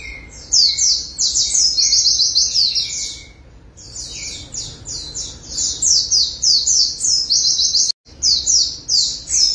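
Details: Following a bath, a white-eye (pleci) sings ngalas style persistently, beak open. Long bursts of quick, piercing, buzzy high notes with a short lull around three to four seconds and a brief dropout near eight seconds.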